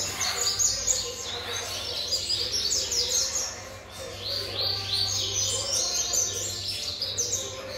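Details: Young variable seedeater, seven months old, delivers fast, bright twittering song of high sweeping notes and buzzy trills, continuous throughout, over a constant low hum.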